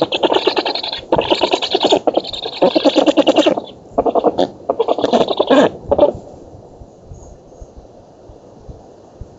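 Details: Black stork young at an oak-tree nest in Poland, 31 July 2017, during training flights, giving hoarse, wheezy, rapidly pulsed calls in quick bursts for about six seconds, then quiet background hiss.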